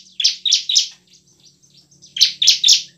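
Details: Bar-winged prinia in lively ngebren and nembak song, meant as a lure for reluctant birds: two triplets of loud, harsh, buzzy notes separated by a short gap of faint ticks.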